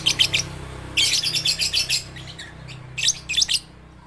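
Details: Young lovebirds, babies and birds under five months old, practising their voices: short bursts of rapid, high, scratchy chirps, a brief flurry, a longer run after a pause, then two more clipped bursts.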